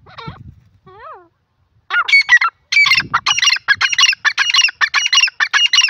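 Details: Grey francolin (teetar) calling: a rapid run of loud, harsh, grating notes stacked in quick bursts, roughly two per second, preceded by a few softer rising notes.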